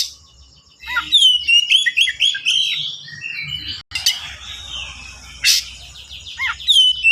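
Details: White-rumped shama singing fast and dense as a master for young birds: rapidly repeated falling whistles, a buzzy middle passage with a loud sharp burst, then more falling whistles.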